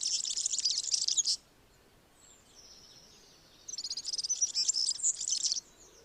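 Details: European serin song, described as typical and diagnostic: two bursts of rapid, very high-pitched jingling twitter, each lasting about one to two seconds, separated by a quiet gap with faint distant calls.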